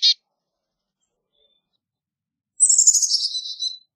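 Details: Carolina chickadee giving a brief high chip, then after a pause a drawn-out buzzy series of scratchy notes sliding gradually downward, over silence.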